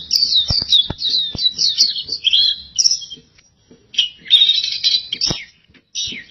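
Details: Gacor song from an oriental white-eye: rapid, high, jumbled twittering phrases for about three seconds, then a silence, then a second burst of busy warbling and a final short phrase. Faint clicks are heard in the background.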